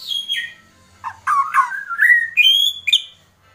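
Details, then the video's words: White-rumped shama, agitated, giving kretekan calls: a falling whistle, then a pause, then rough chattering notes that climb into bright, rising and level whistled phrases, delivered quickly over about three seconds. "Kretekan Murai Batu Emosi"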